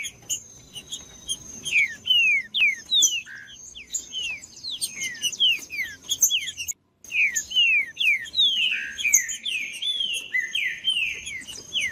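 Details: Green-winged saltator song used to get silent captive saltators singing: rapid runs of bright downslurred whistled notes repeated in phrases, a brief gap midway, then more falling whistles, over a faint constant high tone.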